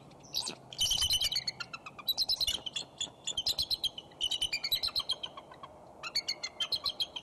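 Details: Two bald eagles calling to each other on a branch beside the nest in Decorah, 5 January 2011, late afternoon. Quick series of thin, high, piping notes in clusters separated by short pauses, with small songbirds in the background.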